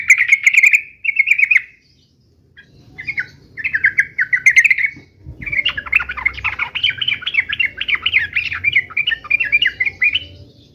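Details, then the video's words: Yellow-vented bulbul giving fighting song meant to prompt other birds to answer: short bubbling phrases at first, then a long, continuous run of rapid chattering, warbled notes, with some low rumbling noise beneath. "trucukan gacor UPLIK UPLIK TARUNG MENJADIKAN agar burung trucuk gacor NYAUT SEKETIKA"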